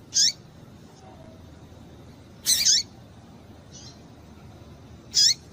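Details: Female double-collared seedeater excites males with sparse, high, slightly buzzy notes, the middle one longer and doubled, about two and a half seconds apart, plus a faint softer note between.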